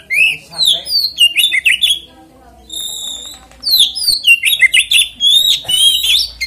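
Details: Oriental magpie-robin pouring out a varied song to trigger singing in others of its kind: rapid whistled phrases, downward slurs and harsh chips, a brief pause midway, then more fast notes.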